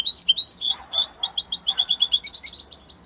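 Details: Italian European goldfinch in full song, a continuous three-second stream of fast, bright, liquid twitters and trills with quick up-and-down notes, faint soft background chatter.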